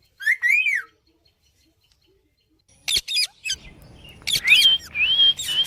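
A rose-ringed parakeet gives a shrill rising-and-falling squawk, then, after a pause, a burst of harsh screeches and wavering whistled calls over faint background noise.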